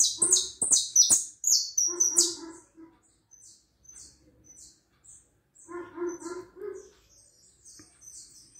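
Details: High, buzzy twittering hooded siskin song for the first two seconds, followed by lower, nasal, harmonic calls and faint thin twitters from other birds.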